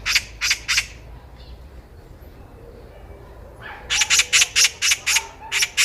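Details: Eurasian magpie calling loudly during a walk: three harsh rasps, a quiet gap, then a steady run of about eight grating notes.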